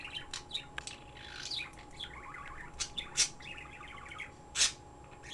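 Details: Chattering pet bird chirps almost nonstop, with rapid strings of short high twitters mixed with a few loud sharp clicks, over a constant low indoor hum.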